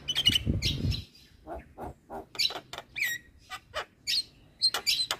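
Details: Black-winged myna song: a series of varied short notes, some high and squeaky, others lower and clipped, spaced irregularly, with a brief low thumping noise at the start.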